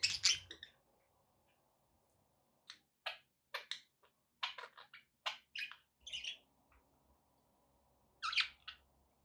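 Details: Pet budgerigars chirping indoors: short bursts of scratchy, warbled chirps, an opening flurry then clustered chatter mid-clip and a final burst, separated by quiet gaps.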